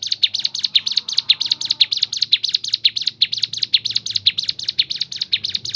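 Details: Natural Crescent-chested babbler song variation meant to stimulate other birds to sing: fast, regular, high, piercing chirps one after another, with light low background noise.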